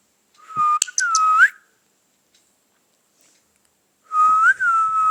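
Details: Pet parrot talking, saying "Mithu Mithu": two clear, whistle-like spoken phrases with a slight upward bend at the end, separated by about two and a half seconds of silence, plus a few faint clicks.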